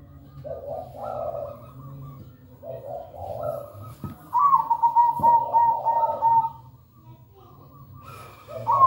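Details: Zebra dove (perkutut) singing vigorously in the manggung style with a steady rhythm. Paired soft coos repeat every couple of seconds, then a loud stuttering trill of quick beats sits at a higher pitch. Low background hum and a few clicks.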